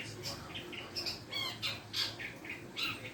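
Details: Long-tailed shrike learning its sounds: a run of short, harsh, squawky chirps, some with quick rising and falling sweeps, spaced unevenly over three seconds in a quiet indoor setting.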